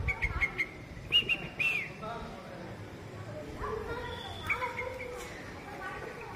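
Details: Red-vented bulbul in the morning giving short, bright whistled notes in quick bursts near the start and again midway, with quiet speech and low background rumble.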